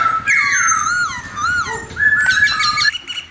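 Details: Laughingthrush (khướu mun) singing: loud, rich whistled phrases sliding down from high to lower notes, with a brief low warble and then a burst of sharp, bright notes near the end. A faint low hum sits underneath.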